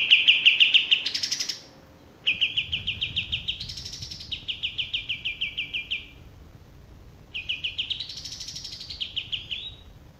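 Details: A male olive-winged bulbul gives three trilled phrases. Each is a fast pulsing run of high notes that climbs to a higher arched section and then falls back, with short pauses between.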